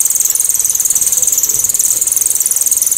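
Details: Cililin 'tembakan' for songbird training, loud, sharp and clear: an unbroken, extremely high, fast-pulsed metallic trill lasting about three seconds.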